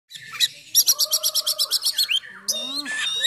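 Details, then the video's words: Oriental magpie-robin singing a loud, rough-filled song, used to provoke and train other magpie-robins: mixed whistles, then a fast burst of about twelve sharp, evenly repeated notes, then a falling whistle and a buzzy, harsh phrase. "Kacer Gacor Full Nembak Isian Kasar Bikin Emosi Kacer mu"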